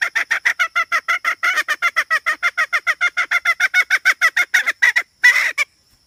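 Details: Hen calling in a fast, steady run of harsh, nasal notes, about three per second for five seconds, with a brief noisier burst near the end.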